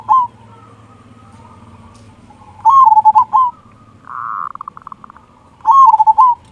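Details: Zebra dove, local strain, recorded to make other doves sing: loud bubbling coo phrases about three seconds apart, with a brief trilling flutter of softer notes between them.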